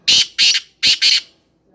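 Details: A black francolin gives four loud, scratchy notes grouped in two pairs, each note harsh and broadband, with silence between the pairs.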